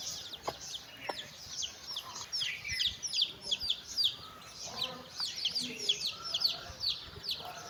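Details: Chickens: a mother hen calling her chicks for a walk. Dense overlapping high, downward-sliding peeps from the chicks run throughout, with a few lower, softer clucks around the middle.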